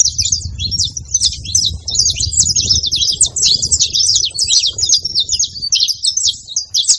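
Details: Numerous saffron finches singing at once, a steady wall of shrill, high chirps and quick trills overlapping throughout, with a low murmur of background noise beneath.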